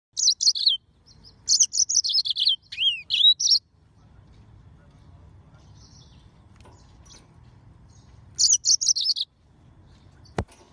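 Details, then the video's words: Yellow-fronted canary (Mozambique serin) singing in bursts of high, rapid trilled and warbled notes with sweeping slurs, separated by quiet pauses of several seconds; a faint low hum underneath and a sharp click near the end. "طائر الياسمين الموزمبيقي serin mozambique"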